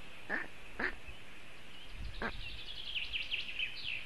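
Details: Storklets of the black stork in a Latvian nest, left alone for the first time on a very hot June afternoon, calling for cooling: three rough calls, then a small bird's rapid twittering.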